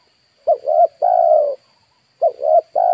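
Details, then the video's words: Decoy spotted dove calling to lure wild birds. Two clear phrases are heard, each a pair of short rising coos followed by a long, full coo. "DERKUKU/TEKUKUR PIKAT DI HAJAR BURUNG LIAR"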